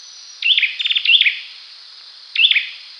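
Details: Olive-backed sunbird giving a clear call and song, a fast rattling series of thin high chips followed by a sweeping chirp, then a lone chirp after a pause; faint constant hiss underneath.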